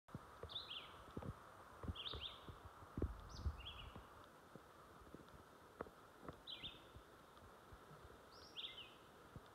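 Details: Songbirds in jack pines by a garden sing on and on, giving short, high, sharply falling chirps, singly or in quick pairs every one to two seconds, over a low rumble of wind.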